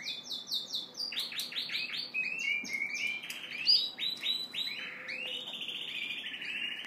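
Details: Courting Yorkshire canary cock singing to a hen: fast trilled tours of repeated sweeping notes that shift pitch between phrases, with a few sharp, high accents and a faint background hum.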